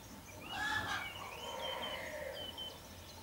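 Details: A falcon at a nest box in Bad Schallerbach on 8 June 2012, with two young just hatched and the female feeding them, gives a harsh, rapid chattering burst, then thinner drawn-out whining notes over faint background noise.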